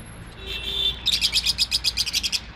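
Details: Lovebird, small African parrot: a brief steady high whistle, then a fast run of sharp, shrill chirps repeated about eight times a second for over a second.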